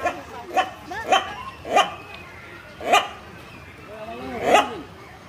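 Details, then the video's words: A hornbill at a zoo in Assam gives loud, hoarse, bark-like calls about once a second, strikingly dog-like, with a faint background hum. "This is a dog in bird's clothing"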